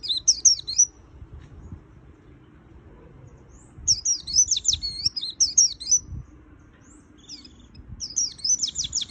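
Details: Bursts of high, quick twittering from a white-eye, in "gacor full isian" song. The first phrase is short, followed by a silent gap, then a longer run of tumbling thin notes and another burst at the end.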